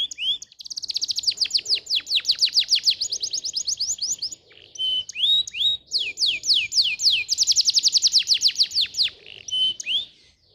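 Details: Canary song played as a tutor to make canaries sing: long fast trills of descending sweeps, several per second, broken by a few pure whistles, continuing almost without pause.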